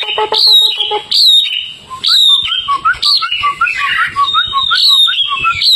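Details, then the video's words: Tame outdoor Hwamei (wambi) in lively song: rich falling whistles repeated about once a second, mixed with a fast series of short lower chirps and a rising warble. "Wambi Hwamei Gacor jinak total outdoor"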